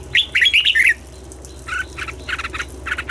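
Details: A red-whiskered bulbul sings during morning training in the double-note style: one loud, fast warbled phrase of bright slurred whistles, followed by softer, burry repeated notes.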